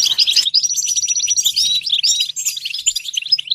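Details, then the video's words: Goldfinch singing in a recording meant to encourage goldfinches to sing: brisk twittering that opens with a burst of chirps, then a long thin whistle over continuous tinkling, scratchy notes. "Comprehensive guide to stimulating and singing the goldfinch"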